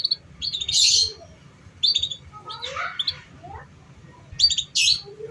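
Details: Canary song used as a lure for young canaries still learning: loud high chirps and buzzy bursts in quick clusters, with lower rasping notes between, over a faint low hum.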